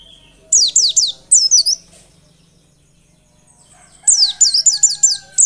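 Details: White-eye song used to bring on singing. High downslurred chips in two bursts, the first ending in a twisty warble, then silence before a quick run of sharp descending notes.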